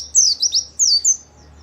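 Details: Brief white-eye song phrase, used for luring and training caged birds: four quick, very high slurred notes sweeping downward, with faint background hum.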